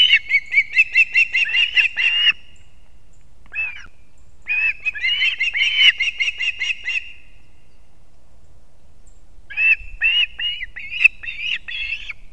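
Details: Latvian osprey at the nest at dawn, 3 September 2024, as the father delivers two fish to the young; bursts of rapid piping whistles, several in a row, then pauses and renewed series.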